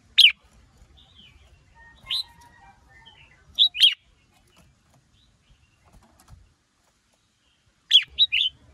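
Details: Red-whiskered bulbul, female exciting a male to sing: scattered clear downward-sweeping whistles, a short double note mid-way, a long silent stretch, then a final quick three-note phrase.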